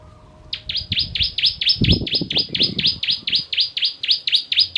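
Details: Bar-winged prinia giving a long, steady string of high, piercing chips, each sweeping downward, about four per second, in the 'tembakan' style used to train songbirds; low knocking sounds run underneath midway.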